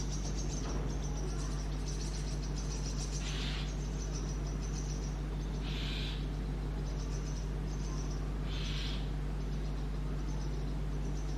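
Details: Brahminy starling chicks in a sparrow nest box adopted by their parents, which feed them insects often. Thin, high, buzzy chirp trains run throughout, with three broad hissy bursts about every two and a half seconds, over a steady low hum.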